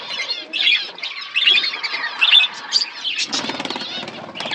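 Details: Budgies in a flock eating food chatter in warbled phrases and chirps, with a soft scraping rustle in the second half.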